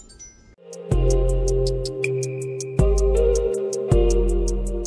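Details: Calm instrumental music with sustained tones and repeated bright chime strikes, with no animal sounds.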